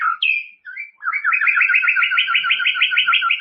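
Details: White-rumped shama song used as a training recording for caged birds: a few whistled notes, then a fast, even trill of buzzy repeated notes running about three per second.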